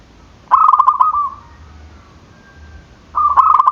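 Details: Zebra dove calling to provoke rival birds: a long rolling coo of rapid clipped notes trailing into a fading purr, then a second coo starting after a pause.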